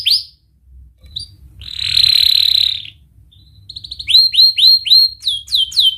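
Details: Canary song meant to teach young canaries: scattered short whistles, a loud buzzy trill, then a run of sharp upward-hooked 'wit' notes repeated quickly.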